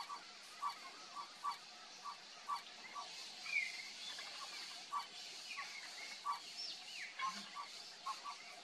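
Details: Bare-faced Ibis (Phimosus infuscatus), apparently in the Pantanal, gives short, nasal honking notes, about two per second, over a steady insect hiss with a few thin chirps from other birds.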